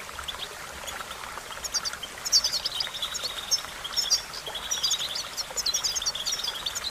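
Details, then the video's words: Training song of a European goldfinch. A sparse start builds into dense, jangling high twitters and chirps over steady background noise. "The magic recipe to silence the goldfinch and make it sing"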